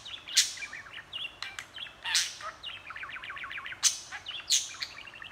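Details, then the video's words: Pet budgie chattering and talking continuously, handheld recording; quick series of short bubbling notes and rhythmic chirp runs broken by sharp loud clicks and brief squawks. "Budgie talking & chattering for 6min 40sec straight"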